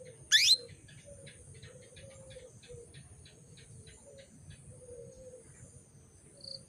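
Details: Female canary call to stimulate males into breeding condition: one loud upward-sweeping chirp, followed by a long run of faint, quick ticking notes and low background hum.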